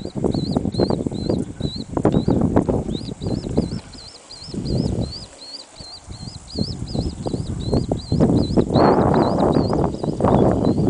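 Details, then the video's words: Swallow-tailed kite at Box R WMA, Florida, giving a long run of thin, high, whistled notes, about four a second, over heavy wind rumble and low thumps. "Swallow Tailed Kite"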